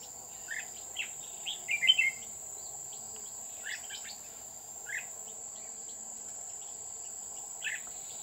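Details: Red-whiskered bulbul at Núi An Phú, Chùa Hương, during trapping on 20 October 2019. Brief sharp whistled notes recur every second or so, with one louder warbled phrase early on, all over a persistent high insect whine.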